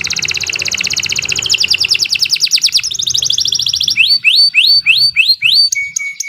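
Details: Canary delivering a continuous loud song: dense fast trills shifting pitch in stages, followed by a series of clear upward-sweeping whistles about twice a second and a steady flat tone.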